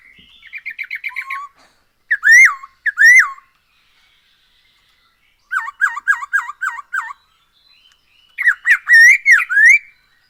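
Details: Daily singing Black-throated laughingthrush used as a song lure: bursts of rapid chattering notes alternate with loud, sweeping whistles, separated by silent gaps of one to two seconds.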